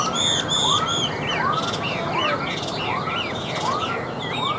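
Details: Chinese hwamei, hand-tamed and caged, singing on a table: bright high trilled notes open, then rising whistled arcs repeat roughly every 0.8 seconds with looping higher whistles.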